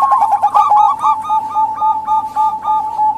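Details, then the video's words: Zebra dove female of local stock, used to lure males or wild doves: an unbroken string of quick, evenly spaced coos, about three or four per second, steady and mellow. "Pancingan Perkutut Lokal & Bangkok Biar Rame Diteras"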